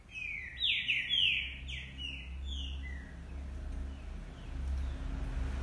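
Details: Singing green-winged saltators, more than one bird: a rich phrase of five or six sweeping whistled notes, each sliding down, delivered over about three seconds, followed by quiet and a persistent low droning hum.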